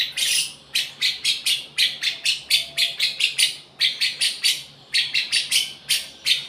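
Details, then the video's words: Lovebird's song imitating the cucak jenggot (grey-cheeked bulbul): steady runs of shrill, grating chirps, several each second, broken by short gaps between bursts. "love bird rasa cucak jenggot"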